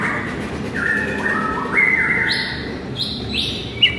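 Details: White-rumped shama training recording meant to rouse a listless shama: long, clear whistled tones stepping up in pitch, then higher bright notes, over a steady background hiss.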